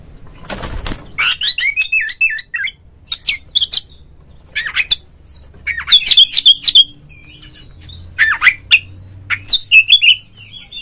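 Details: Oriental magpie-robin singing in the ngeplong style, used to spur other magpie-robins into song. A flurry of wingbeats opens, then clusters of sharp, varied whistles and chattering notes come in separate bursts with gaps between.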